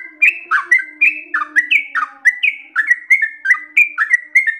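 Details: Yellow-vented bulbul pouring out long ropel song: crisp two-part whistled notes, a dip followed by a higher sliding note, repeated briskly and evenly, with a soft hum below.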